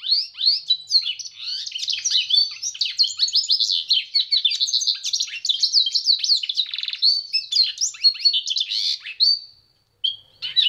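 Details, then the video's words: A pintagol (siskin × canary hybrid) sings a long, rapid, high twittering song of varied chirps and trills, with a brief buzzy passage midway. It pauses once before a final short phrase. "PINTAGOL EM CANTO"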